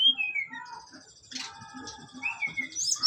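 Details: Brown-chested jungle flycatcher, a bird native to Bali kept as a songbird, in a mental test: varied clear whistled phrases and trills with buzzy high notes, continuous and lively, with faint low knocking beneath.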